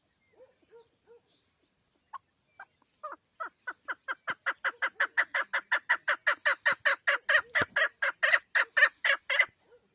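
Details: A female chukar partridge starts with scattered soft notes, then builds into a long, fast string of about thirty loud, rasping chuck calls that grow stronger toward the end.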